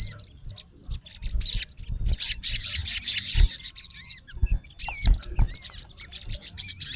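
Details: Male olive-backed sunbird (sogon) calling a rival: rapid high trilled bursts, steeply looping whistles, then another quick trill, loud and clear over faint low knocks.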